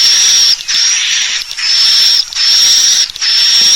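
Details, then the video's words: Swiftlet calls played to lure the birds to roost in a bird house: long, high, hissing chirrups close to one another, separated by short dips every second or so. "Suara Burung Walet Panggil Tarik Inap Terbaik II SUARA PANGGIL BURUNG WALET"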